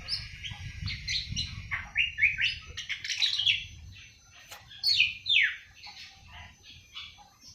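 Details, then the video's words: Awar-awar bird aged seven months beginning to sing (ngriwik): rapid high chirps and twittering phrases, some notes sliding downward, coming in loose bursts over a low background hum. "Burung awar awar 7 bulan mulai ngriwik"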